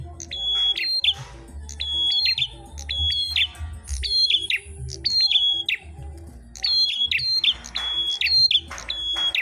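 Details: Red-headed prinia (prenjak klawu) in a fighting contest, singing loudly. Long runs of repeated level high whistles, each ending in a sharp falling note, come in bursts separated by short pauses.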